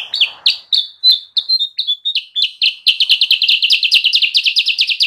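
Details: Sooty-headed bulbul used as a lure for wild birds: a few slurred whistled notes, then a dense, rapid chattering series of bright chirps.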